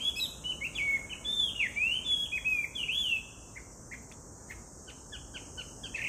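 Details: A Chinese hwamei, recorded 18 July 2019, sings three seconds of loud, varied whistled slurs, then drops to softer, clipped notes; a steady high-pitched insect buzz runs throughout.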